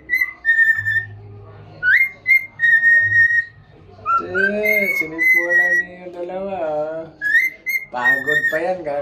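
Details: Happy cockatiel head dancing and whistling: repeated level tonal whistles, some sliding upward, alternating with stretches of lower, wavering voiced sounds in a quiet room.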